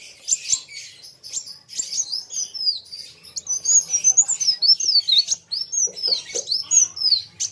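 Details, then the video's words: Kolibri wulung sunbird singing in full voice against a rival: thin, very high, rapid twittering with quick rising and falling whistled slurs, in bursts with brief pauses. "BURUNG KOLIBRI WULUNG NARUNG GACORR KETEMU LAWAN SAMA" GACORR"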